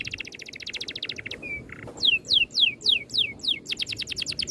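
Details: Oriental magpie-robin 'ngerol' song with neat shots: a fast buzzy trill, a brief flat whistle, then loud sweeping falling whistles followed by another quick run of short notes.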